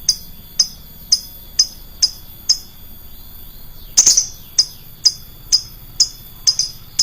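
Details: Lovebird lure sound with a shrill voice: crisp, high chirps about every half second, a short pause, then one louder harsh squawk before the chirping resumes at the same pace.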